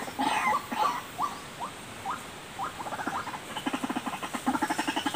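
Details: Lure recording of a white-breasted waterhen: a few loud harsh notes, then short upward-hooked calls, then breaking into a rapid stuttering chatter.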